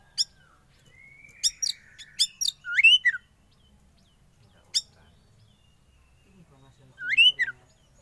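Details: Oriental magpie-robin, a young forest-caught kacer undergoing sauna therapy, gives clipped high chirps, a drawn-out whistle and looping whistled phrases, with quiet pauses between bursts.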